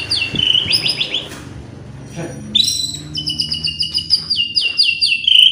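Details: White-rumped shama song for provoking other birds to sing: quick high slurred notes, a brief quiet gap, then a loud high phrase followed by rhythmic repeated chips.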